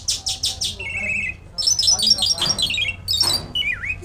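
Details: Jal lark from Pakistan in full song: a run of rapid high buzzy chirps, then a flat trilled note, followed by bursts of sharp twittering phrases and a final slurred downward whistle.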